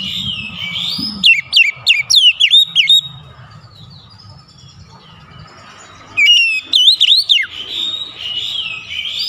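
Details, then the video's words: Repeated bursts of sharp, rapidly swooping whistles from an oriental magpie-robin, a lure to make a lazy bird start singing, with a lull of several seconds between bursts over soft low background noise. "PANCING KACER MALAS BUNYI"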